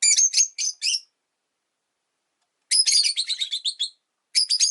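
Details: Shrill, quick-fire chirp groups from caged pet rosy-faced lovebirds, five birds by a window: four sharp notes, a pause, a longer rattling run, then another burst starting.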